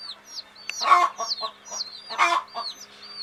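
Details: Sleepy hen's chicks: thin downslurred peeps continue quietly while two louder rasping bursts break in, with a low steady hum beneath.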